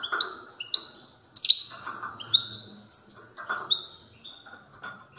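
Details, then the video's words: European goldfinch in strong song, spaced bright chirps and short high whistles, some slurred upward, given in loose bursts roughly every second with a faint low background hum. "تغريد قوي لطائر الموقنين"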